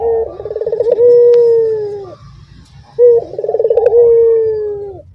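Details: Caged Barbary doves giving the dorongan coo while other doves in the same cage join in: two calls, each a rapid rolling stutter that settles into a long, steady, slightly falling low hoot, about three seconds apart.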